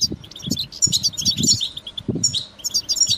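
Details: European goldfinch calls meant to encourage a caged goldfinch to sing: continuous high, jingling twitter and fast chirps, over repeated low thumping knocks in the background.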